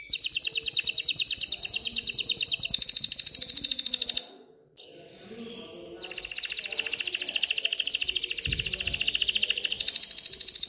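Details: Excited male canary singing to stimulate females to mate and build a nest: a rapid, buzzy high trill that rolls on for four seconds, breaks off briefly with a short whistled phrase, then resumes just as fast and steady.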